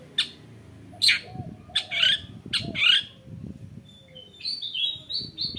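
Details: Female long-tailed shrike singing, used to prompt other shrikes to sing: harsh, scratchy bursts roughly every second, followed by thin, high whistled notes.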